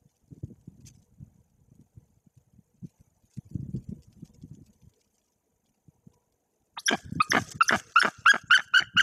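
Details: Nest camera in Poland's Bory Tucholskie forest: a female white-tailed eagle sitting on eggs defends the nest from an intruder. Soft low rustling comes first, then a rapid burst of about eight harsh, yelping barks.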